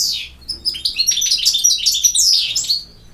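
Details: Campero-style song of a European goldfinch from Bosnia and Herzegovina, a continuous rush of high, sweet twitters and tinkling trills, fading out at the end.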